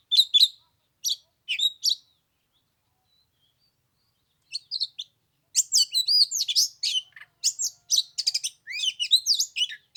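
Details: Oriental magpie-robin on the third day of Lunar New Year in 15-degree cold: a few scattered chirps, a pause of two seconds, then an energetic stretch of rapid varied whistles and trills.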